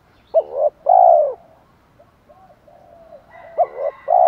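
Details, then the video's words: Spotted dove decoy, 'thổ pha thúc đấu' calling meant to stir wild birds. A short note and a long warm coo, then low soft murmurs, then the pattern starts again with a faint high tone above. "chim cu gáy THỔ pha thúc đấu dút chim bổi"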